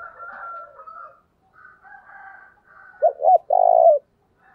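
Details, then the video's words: Decoy spotted dove cooing to draw in wild doves. Quiet background murmur gives way near the end to one phrase: two brief low notes followed by a strong, sustained coo. "tiếng cu mồi thúc bổi mới nhất, bổi nghe nhạy gáy và rất nhanh nổi"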